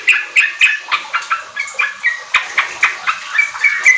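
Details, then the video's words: Sooty-headed bulbul singing in lively, continuous form, used as a lure to get untrained kept bulbuls to sing riwik and ropel; quick chattering notes around four per second, short bright slurred phrases, some sharp whistled accents near the end. "Pancingan trucuk ampuh bikin trucukan bahan cepat riwik ropel gacor"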